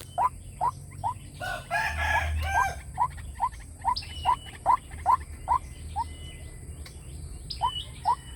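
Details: White-breasted waterhen lure call for luring wild waterhens: a regular series of short, clipped notes over low background rumble, with a brief noisy burst early on.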